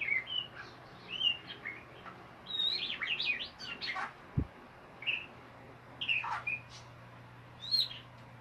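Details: Quieter white-rumped shama ngeriwik song: high, thin whistles and short chatters in scattered bursts, one sharp click midway, over a steady low hum.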